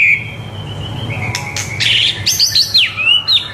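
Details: White-rumped shama singing as a tutor for juveniles: a soft whistle, rasping bursts, then a string of high, sweet slurred whistles rising and falling, over faint low background noise.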